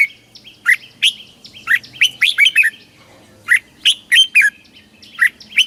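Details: Caged red-whiskered bulbul from Thailand singing in the southern master style, played to excite caged birds and teach young birds: bright, quick whistled notes in short bursts, about three phrases with brief pauses between them.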